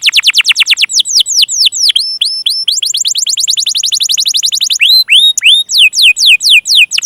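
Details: Canary lure song (pancingan) to stimulate stuck and young canaries: continuous tours of sharp downslurred whistles that shift speed, quickening into a dense run midway, then slower, fuller sweeping notes.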